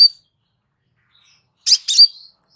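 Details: Crimson sunbird, relaxed song offered as a master for bird training: a brief high note, a pause, then one paired phrase of scratchy high chips trailing into a thin drawn-out whistle.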